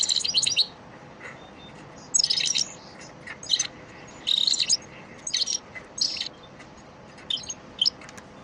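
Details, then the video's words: European goldfinch lesson song in the elmacık style, played to train caged birds: scattered short bursts of high twittering and buzzy notes with quiet gaps between them, over a faint steady hum. "elmacık saka ders ötüm dersi"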